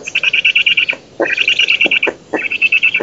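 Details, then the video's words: Black stork parent at an oak-tree nest in Poland, on 11 June 2017, chasing off an intruder, gives three bursts of rapid, high, whistled notes, about ten per second, each burst lasting about a second, with brief pauses between. "Bociani rodzic przegania intruza"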